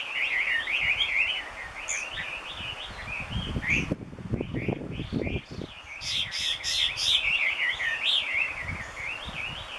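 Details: Chinese hwamei singing loudly and restlessly in Gunma Prefecture, Japan: an unbroken stream of wavy, looping whistled notes, briefly dropping during a burst of low rumbling noise, then resuming with sharp higher accents.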